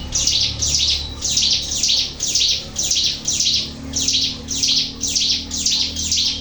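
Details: Lure recording of an actively singing Sunda warbler: bright, high-pitched burry phrases delivered steadily, roughly twice per second, over a soft low background drone.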